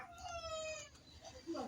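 A rooster gives a brief, strained crow, a rich harmonic note that holds steady and then falls slightly.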